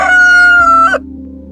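A rooster's crow: one loud, strained, held note lasting about a second, then it cuts off. A low steady hum runs underneath.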